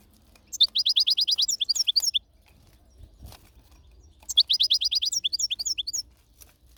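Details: European goldfinch singing two bursts of rapid, high tinkling twitters, each about a second and a half long, with many quick, evenly spaced notes ending in a few scattered chirps, separated by a short quiet gap.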